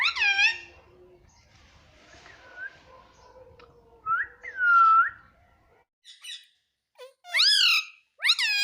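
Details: A parrot that says "mummy" opens with a rich overtone-laden call, then gives a soft whistled note and a brief quiet stretch, and ends with bright, rising-then-falling calls.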